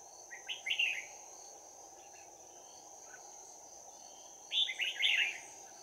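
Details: Decoy Red-whiskered bulbul in a trap, 11 January 2019, delivering close-combat fighting song with a 'bell voice': two bright, bubbling phrases of quick slurred whistles separated by a few seconds of quiet hiss and a steady electronic whine.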